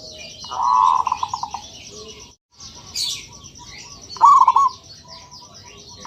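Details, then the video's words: Zebra dove, called perkutut locally and described as a local bird, giving two bursts of low, rolling, trilled cooing notes with a pause between them, over constant faint high chirping and insect-like background twitter. "Suara Burung Perkutut"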